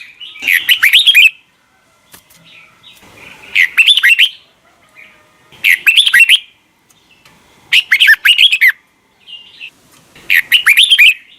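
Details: Red-whiskered bulbul in mature wild-type double-note morning song. Five loud, bubbling, warbled phrases, each about a second long, repeat roughly every two seconds.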